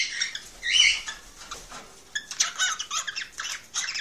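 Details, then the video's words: Male cockatiel singing excitedly to stimulate a female to mate: dense bursts of harsh, buzzy chattering notes with brief squeaks, broken by a quieter gap midway, then choppy repeated phrases. "ساعة من تحفيز طيور الكوكتيل على التزاوج"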